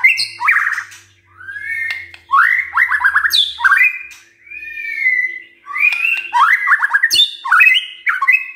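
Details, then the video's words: Morning song of a white-rumped shama meant to spur other shamas to sing: rich sequence of slurred whistles, quick descending note series and sharp high chips, nearly continuous with short gaps, over a faint steady hum. "Pancingan PAGI-PAGI AGAR MURAI GACOR❗ murai diam pasti ikut NYAUT EMOSI❗❗"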